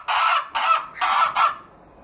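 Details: A pet Leghorn hen gives four harsh, nasal squawking notes in quick succession, each about a third of a second long, with no other sounds.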